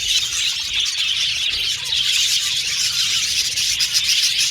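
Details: Budgerigar colony in an aviary: unbroken, shrill chatter of many birds at once, chirps and squeaks blending into one even, busy sound.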